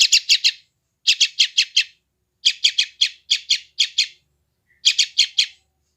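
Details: Sooty-headed bulbul chick recorded on an Android phone in West Java, calling vigorously: bursts of three to five harsh, rasping chirps, each burst under a second, separated by short silences, with no other sounds. Used to train newly caught wild bulbuls.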